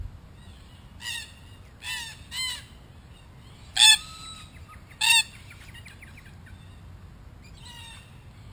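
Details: Wild red-tailed black cockatoos, a group in Australia investigating a spy camera: harsh, grating, harmonic squawks in short bursts, two to three close together then a pause, several birds calling, with a faint rising whistle-like note between.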